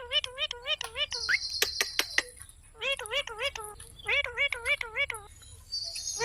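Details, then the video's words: Green parrot chirping in rapid runs of wavy, harmonic notes, about three to four per second, broken into short phrases; a brief high buzzing sound and a few sharp clicks also occur. "Green Parrot Chirping Sounds /Voice"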